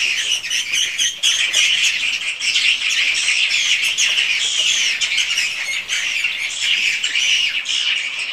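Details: Swiftlets inside a swiftlet house, raw recording for call and roost sounds: an unbroken, crowded chorus of high, buzzy, squealing chirps at a steady loudness.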